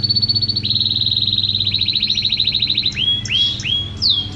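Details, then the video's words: Champion canary singing a long rapid trill held near one pitch for about three seconds, then short downward-curving whistled notes repeated in quick succession, with a steady low hum underneath. "Suara Kicauan Burung Kenari Juara"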